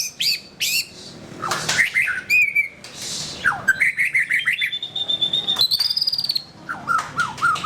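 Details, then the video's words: White-rumped shama, a kept songbird, singing a loud, varied song: sharp whistled notes, quick rising and falling slurs, rapid chattering trills, and a long steady high whistle near the end, with short pauses between phrases. "SUARA BURUNG : Pilih Murai Batu Gacor"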